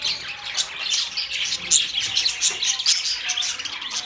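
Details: Lively budgerigar chatter of quick, irregular chirps, more than two a second, mixed with harsh squawks and a few bright whistled notes, all high-pitched and nearly continuous.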